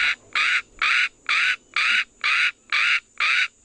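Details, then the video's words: Northern black korhaan in Kgalagadi Transfrontier Park (KTP), South Africa, giving eight harsh, rasping croaks in a steady run, about two each second, loud and grating with no other sounds behind them. "Northern Black Korhaan"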